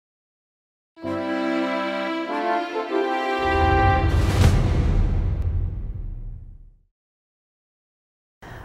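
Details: A swelling musical theme with a whooshing swell fades out, with no animal calls.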